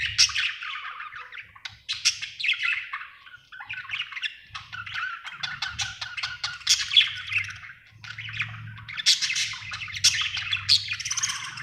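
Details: Happy budgerigar chatters steadily, a busy mix of squeaky whistles, buzzy notes and clicks in a long unbroken warble over an intermittent low hum.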